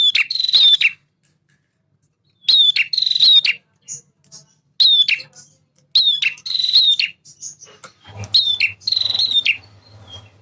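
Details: Vigorous male prinia song made of repeated bursts of piercing slurred notes and rasping buzzy trills. Low droning noise enters toward the end.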